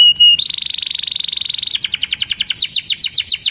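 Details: Canary song meant to coax young or silent canaries into singing: a long fast even trill, then a run of sweeping downward whistled notes that slows toward the end, bright and high-pitched.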